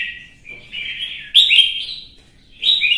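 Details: Caged red-whiskered bulbul in competitive singing, from Vietnam's songbird-keeping hobby: clear warbled whistles sliding up and down, a loud sharp burst midway and another bright phrase at the end, over a quiet background.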